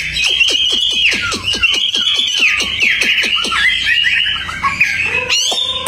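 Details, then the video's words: Tame Hwamei singing outdoors: loud, varied whistled phrases with rapid descending sweeps repeated in quick series, ending in a rising note and a harmonic-rich tone. "Wambi Hwamei Gacor jinak total outdoor"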